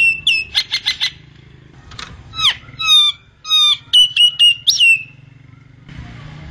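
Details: A common myna (Acridotheres tristis, locally called jalak nias), recorded for tutoring other songbirds, runs through a quick, varied medley of harsh squawks, gurgles and bright whistled notes, several phrases in a few seconds, over a faint hum.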